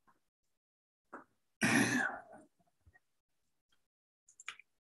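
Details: A person clears their throat with a harsh, rasping burst in a small room, with a few faint clicks around it and no animal calls.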